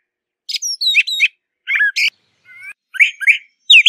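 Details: Brown thrasher singing outdoors: quick sequence of sharp high chirps, thin down-slurred whistles and a buzzy note, grouped in short doubled phrases separated by brief pauses, no other sounds.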